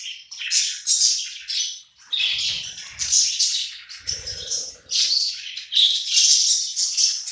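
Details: Several hungry pet budgerigars gathered together eating, chattering in dense overlapping chirps and warbles between 2 and 8k, with brief low knocks and scraping at about two and four seconds.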